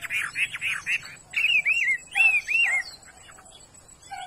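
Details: Chinese hwamei, a bird picked for its fine voice, singing loud looping whistles: a run of rapid blurred notes, then three curling, rising-and-falling whistled phrases, trailing into quieter twitters.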